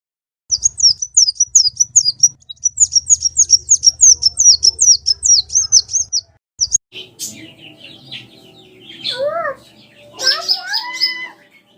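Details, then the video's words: Common iora song used as a lure to make a pet bird sing along: fast, high, repeated chipping notes in a rapid series for about six seconds, then mixed lower whistled notes, with a faint low hum underneath. "TERAPI KONIN BAHAN CUKUP SATU MENIT LANGSUNG IKUT BUNYI"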